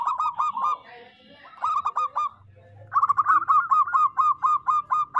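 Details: Local zebra dove singing: short clusters of sharp, hiccuping coos, then a longer, steadily repeated series of bright staccato notes after a brief low hum.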